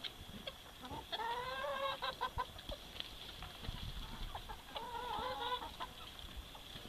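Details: Domestic chickens in Romania, noisy and excited after being given apples: short harmonic squawks and clucks in bursts, a longer drawn-out call near the start and another toward the end, over a steady background hum.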